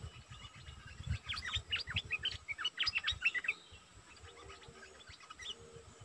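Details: Decoy Streak-eared bulbul giving a quick chattering run of sharp, chirpy notes lasting about two and a half seconds, over low thumping background noise.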